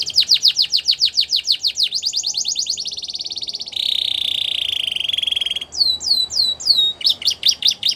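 A Belgian canary sings high, bright phrases: quick repeated chirps, then a fast buzzy trill, then a run of sweeping downslurred whistles, each section changing pace.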